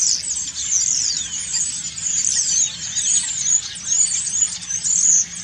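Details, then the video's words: Common starlings giving autumn song while preening, loud continuous squeaky chatter with clicks, a downward-sliding whistle early on, and steady bursts of high rattling notes. "Stare. Herbstgesang und Putzen"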